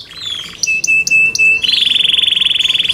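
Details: Yorkshire canary song for competition: a brief rough phrase, a steady pure whistle with clicks, then a rapid even buzzy trill of many quick pulses.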